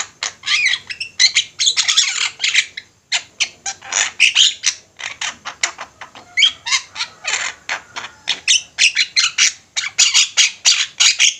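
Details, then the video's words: Several Javan mynas calling together in lively chorus, a master recording for training birds; continuous dense chatter of harsh squawks and chirps, rapid and uneven, barely pausing. "Jalak ombyokan gacor, cocok buat masteran"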